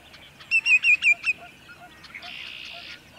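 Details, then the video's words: At sunset in Montezuma, New York, 6 May 2019, sandpipers give a run of five loud, wavy whistled notes in quick succession. Softer calls and a brief buzzy chorus from other birds follow. "Sandpipers Serenade the Sunset"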